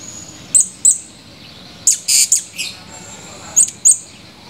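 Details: Male Blue-crowned hanging parrot in active voice, recorded 17 July 2020: short, very high, thin shrill notes, mostly in pairs, with a tight burst of several in the middle, over a quiet hiss.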